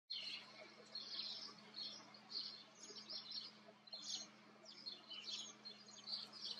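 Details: Common kestrel in the Eifel, Germany, giving shrill, high chittering notes in bursts about every second, over a low steady hum.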